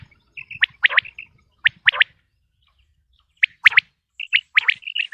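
Quail calling: clusters of two or three sharp, high chirps with short whistled notes, repeated in bursts about a second apart, against a quiet background.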